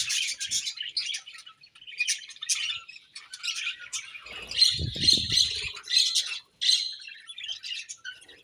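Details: Budgies chirping during feeding, scattered squeaky chirps and scratchy warbles, then a run of clearer repeated whistled notes, with a short low rumble of knocking midway.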